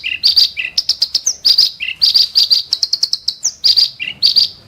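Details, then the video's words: Kerak basi song with sharp, harsh 'shots': loud, rhythmic groups of clicky buzzy notes alternating with lower grating notes and brief upslurred whistles, repeated steadily. "burung KERAK BASI tembakan tajam & kasar"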